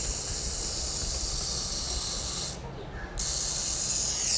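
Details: Captive education burrowing owl (Athene cunicularia) giving its rattlesnake alarm call: a harsh, steady hiss-buzz much like a rattlesnake's rattle, running on without a break except for one short pause, mimicking a rattlesnake to deter predators from the burrow.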